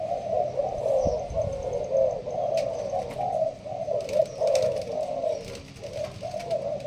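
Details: Spotted dove of the Malaysian strain, kept for hobbyists, giving urging coos in the sparse pattern. Mellow low notes repeat steadily, with a few clicks and faint knocks in the background.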